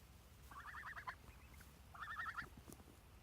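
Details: Three pet geese giving two short bursts of rapid, wavering nasal honks, each burst about half a second long and roughly a second apart, over a faint low background rumble.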